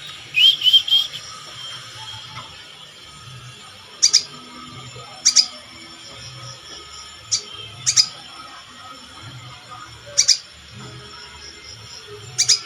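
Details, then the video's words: A sogon sings a rising whistled phrase at the start. It follows with short, high, sharp double notes repeated every one to two seconds over a faint constant background tone. "SOGON SUPER GACOR"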